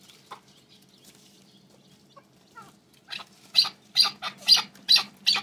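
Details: Male red-billed partridge, hand-hatched, quiet at first with a few soft notes, then bursting into five loud, harsh, broadband calls spaced about half a second apart; faint low hum underneath.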